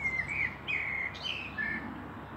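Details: Common blackbird singing in Meschede on 18 May 2021 alongside a pair of fieldfares: mellow, fluting whistled phrases gliding and warbling around a steady middle pitch, separated by short pauses, with faint low background rumble.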